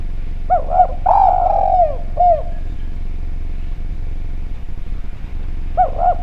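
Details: Spotted dove, Javanese type, in a lure recording meant to provoke other doves: paired looping coos, a long descending coo and a short note, then quiet before two more coos, low rumble throughout.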